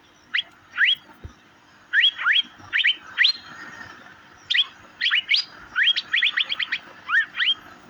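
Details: Chirping of the Asian fairy-bluebird (cucak biru) recorded for mastering: bright, clipped notes sweeping sharply upward, given singly at first, then in rapid clusters of three to five toward the end.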